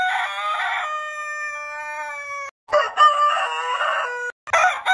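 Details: Heritage-breed rooster crowing, from a compilation: a rasping opening that stretches into a very long, steady, ringing note held over two seconds, then a second harsh crow and the start of a third.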